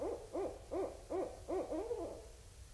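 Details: Barred owls at Indian Cave in autumn 2012; five loud rhythmic arched hoots, each a doubled rising-falling note, evenly spaced about every 0.4 seconds, then a trailing slur.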